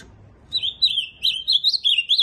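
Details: Ultramarine grosbeak singing a fast, warbling phrase of rapid up-and-down notes, starting after half a second of quiet and running continuously to the end.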